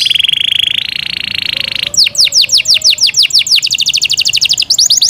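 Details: Singing caged Yorkshire canary: a sustained buzzy trill gives way to rhythmic falling whistled sweeps, then to a faster, tighter rolling trill near the end.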